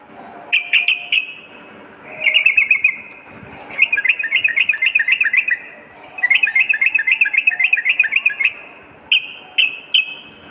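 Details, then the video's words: Sooty-headed bulbul singing after dark in several bursts of rapid, bright chipping notes, some runs long and tightly packed, with short pauses between. "terapi trucukan dimalam hari"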